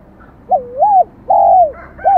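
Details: High-voiced 'giọng son' spotted dove, Vietnam. A dipping then rising coo is followed by a long, smooth, falling coo and the start of another note. The tone is mellow, with a faint background hum.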